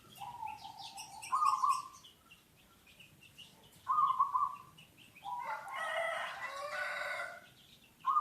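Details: A local zebra dove in Cilamaya, used for luring, gives short trilled, bubbling coos that come roughly every three seconds, while a rooster crows loudly in between.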